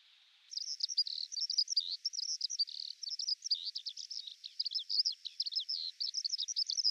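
A Eurasian Skylark pours out a high, unbroken stream of rapid chirps, trills and twittering notes, with no pauses and no other sounds.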